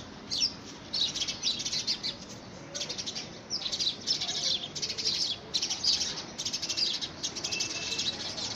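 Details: House sparrows battle for a homemade nest box, early February 2017. Short volleys of harsh chirps repeat about every second, crowding one another almost without pause across the recording.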